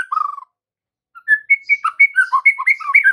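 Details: Lure song of a White-rumped shama for the afternoon, meant to set young shamas singing back: a low buzzy trill, a short gap, then a quick run of bright alternating whistles.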